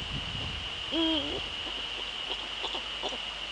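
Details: Male Eurasian eagle-owl in the Netherlands, 30 January 2013 at 18:00: a single deep, steady hoot ending in a short downward slide, over a constant thin high whine and faint rustling.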